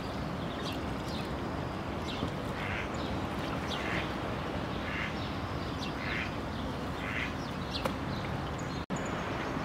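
Mallard giving short, nasal quacks, roughly one a second, in loose series over a steady low rumble.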